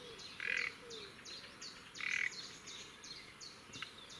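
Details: A well-hidden Common Nightingale at dawn, 5-7am, on 30 April 2017 at Woods Mill Nature Reserve, Henfield, West Sussex, sings quick high sweeping notes broken twice by loud, harsh, buzzy frog-like croaks about 1.5 s apart, over soft hiss.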